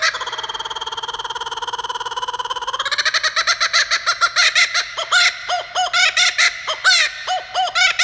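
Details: A kookaburra from the Baltimore Zoo, on a visit to an elementary school, opens with a steady rolling churr, then breaks into loud, quick, hooting laugh notes, roughly five a second, growing more raucous.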